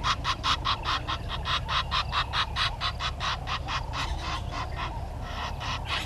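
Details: Red-billed hornbill at the nest tree, Gowrie dam, Djuma Game Reserve, South Africa, 10:09 on 30 January 2020: an even, rapid chain of hollow clucks, roughly two or three each second, fading slightly, with a steady low background hum.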